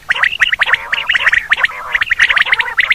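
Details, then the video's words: Quail call used in hunting: rapid tumbling series of bright chirps and gargling trills, almost continuous over three seconds. "batair hunting quail sound"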